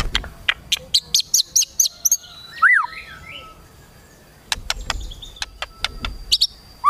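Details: White-rumped shama (murai batu) in 'kretekan tembakan' style, meant to provoke emotion: a run of sharp, evenly spaced high clicks, then a down-up slurred whistle, a quiet gap, and more crisp clicks ending in a rising whistle.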